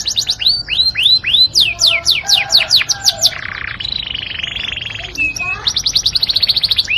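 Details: Yorkshire canary in melodious song: rapid downward-sweeping whistles, a harsher rolling churr and steady buzzy note in the middle, then a fast rattling trill to finish.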